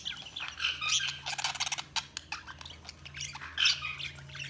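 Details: Budgerigars chattering and chirping, a dense mix of scratchy warbles, clicks and squawky notes over a steady low electrical hum.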